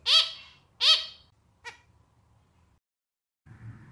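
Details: Captive male zebra finch with a clarinet-style song giving two loud nasal, harmonic-rich honking notes in quick succession, then a fainter short note and silence, with low background hum at the end.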